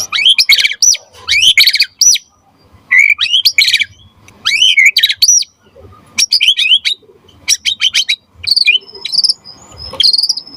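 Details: White-rumped shama in full song, used to prompt other shamas to sing: loud varied phrases of rich whistles, rising and falling slurs and sharp chattering bursts, delivered in quick clusters with brief pauses between them.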